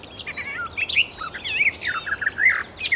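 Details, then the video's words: Wild Icterine warbler in continuous varied song, mixing squeaky whistles, rapid slurred notes and brief harsh accents, with phrases following one another with almost no break. "Burung Kicau Alam Liar (Icterine Warbler birds )Burung Icterine Warbler-Burung Kicau"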